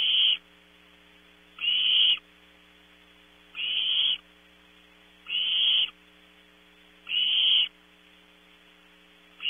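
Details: Barn owl nestlings at Audubon Starr Ranch, California, vying for prey around 3 a.m. while one searches for scraps. A steady series of short, harsh hissing bursts, six in under ten seconds, over faint background hum.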